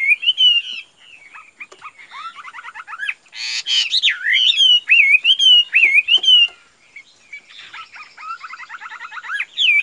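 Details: Caged Chinese hwamei singing loud, varied whistled phrases: slurred rising and falling notes, a harsh rasping burst, then a run of wavering whistles and a fast chattering series near the end.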